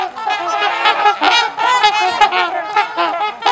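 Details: Trumpeter swans socializing at LaSalle Park, Ontario, Canada: many overlapping nasal, horn-like honks with rich harmonics, a busy chorus from several birds calling at once with no pause.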